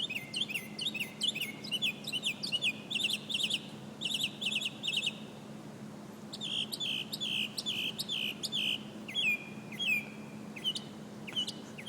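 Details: Common nightingale singing in Alexandria: bright, clipped phrases of rapidly repeated chirps, bursts of several identical notes separated by short pauses, then slower runs of sharp, downslurred notes, with a steady low hum underneath.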